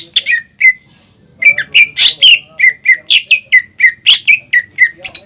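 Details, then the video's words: Loud, lively greater green leafbird song used as a lure for young birds: a few opening whistles, a pause, then a steady fast series of bright downward-slurred notes, about four per second, with occasional harsher chirps. "PANCINGAN CUCAK IJO GACOR INI SANGAT CEPAT DI TIRU CUCAK IJO MUDA ATAU CUCAK IJO BAHAN"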